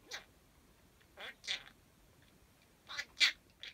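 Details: Parakeet kept as a pet, mimicking words; a few separate shrill, nasal syllables, two near the start and a tight cluster near the end, over a quiet room.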